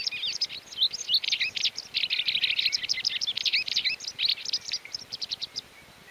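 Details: White wagtail in the mountains of León, Spain, in May 2019, giving a rapid run of twittering high chirps and trills, many notes a second, against soft background hiss.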